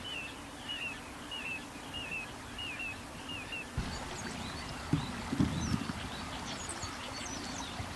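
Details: Little ringed plovers calling in flight over a river on 3 May 2015, two to four birds circling one area, perhaps seeking a nest site; seven clear, down-slurred whistled notes at a steady pace, then faint chatter from other birds over a low background rumble.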